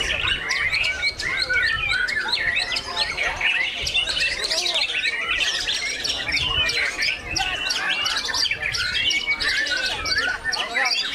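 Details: At a songbird competition with judges, a white-rumped shama pours out a fast, dense stream of rich whistles, sharp chips and rattling phrases, mostly high-pitched, with faint voices underneath.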